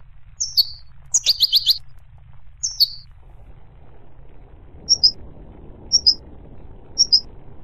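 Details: High twittering goldfinch phrases, then sparse paired chirps every second over a soft low background hum.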